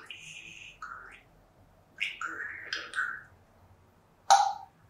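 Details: Pet female African grey parrot (Psittacus erithacus) chattering indoors during her morning routine: a run of varied whistles, squeaky mid-pitched phrases and speech-like sounds, ending with a sharp click or clack.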